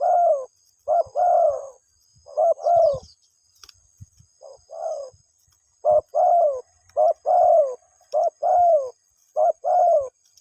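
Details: A spotted dove calls for its mate with a long series of soft paired coos, short note then falling drawn-out note, pausing briefly near the middle before resuming at a steady pace.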